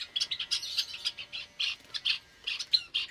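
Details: Java sparrows kept in an aviary where more chicks have hatched, recorded 8 May 2022 in the morning; a quick run of sharp, high tweets and squeaky notes, several per second.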